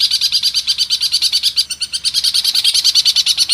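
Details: Rapid harsh notes from a pentet, or long-tailed shrike, in a tembakan kasar masteran: quick scratchy pulses repeated without break, slightly uneven in loudness.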